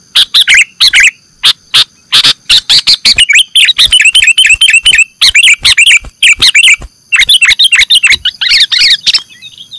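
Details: Sooty-headed bulbul (kutilang) calls played as a lure for catching birds: rapid bursts of sharp, chattering chirps repeated almost without pause, with thin steady high-pitched tones running beneath.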